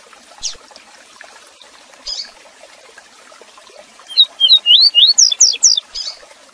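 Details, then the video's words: A Double-collared seedeater (coleiro) song used to train young birds: a few sparse high chips, then a quick run of high, sweet, slurred whistles, about three per second. "Cantão Tui Tui Zel Zel para Manejo e Encarte de Coleiros e Papacapim - Coleiro Professor Aprendizado"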